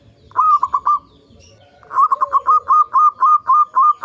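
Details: Zebra dove lure song for prompting other zebra doves to sing: a quick rolled triplet of coos, a gap with a faint lower note, then a rapid stutter easing into a steady run of short, bright coos.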